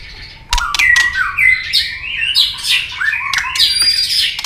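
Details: White-rumped shama giving a fighting song with tail-snapping, meant to stir up fighting spirit: a rich run of loud whistled and warbled phrases, sliding up and down, after an opening sharp click.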